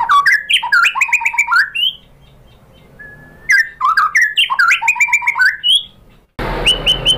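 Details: White-rumped shama (murai batu) lure song (pancingan) to get other shamas answering. Two bursts of fast, varied whistles and chattering notes, separated by a short pause. Final second holds a few rising whistles over loud background noise.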